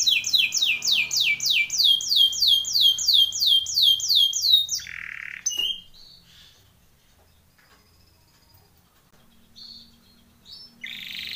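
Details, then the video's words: Timbrado canary in a training song, rattling off a regular string of quick descending notes for nearly five seconds, followed by a short buzzy burst, then near silence with a couple of faint, brief notes. "TIMBRADO canary singing / canto Canario cantando / canary training song"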